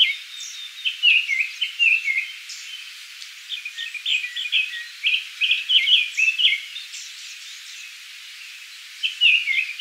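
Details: A Japanese thrush in Kiyokawa village, Japan, sings bright, varied whistled phrases with quick flourishes, in bursts every second or two, with an otherwise quiet background.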